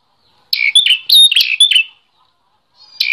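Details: Bar-winged prinia song for tutoring other cage birds: a fast run of sharp, high, chattering notes lasting about a second and a half, then silence before another phrase begins.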